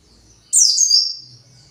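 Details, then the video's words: Single short burst of high, shrill twittering from a white-eye that is emotional and searching for its colony, tailing into a faint thin whistle. "PLECI pasti emosi"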